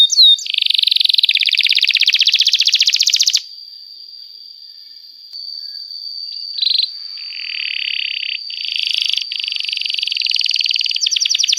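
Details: Canary singing at length as a training lure for young canaries: a loud buzzy trill for three seconds, then a thin steady high tone with softer, broken trill bursts returning later.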